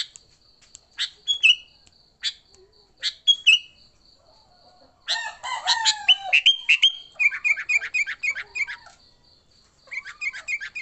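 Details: Sooty-headed bulbul fighting song meant to provoke and lure bulbuls: scattered sharp chirps, then a dense chattering burst of jumbled whistles and rapid stuttered notes, ending with brisk repeated chirps; constant high faint hum throughout.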